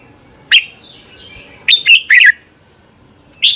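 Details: Red-whiskered bulbul morning competition song ('hót đấu'), used as a lure to train other bulbuls to sing: one short rising chirp, a pause, then a bright warbled burst of several clear notes and a final short whistle.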